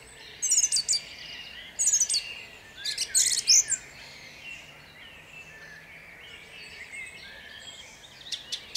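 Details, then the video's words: In Jabłonna at dawn on 29 April 2021 a song thrush gives brief bursts of high, scratchy repeated notes, each phrase followed by quiet stretches with faint birds behind. "Drozd śpiewak śpiewa o świcie w miejscowości Jabłonnej."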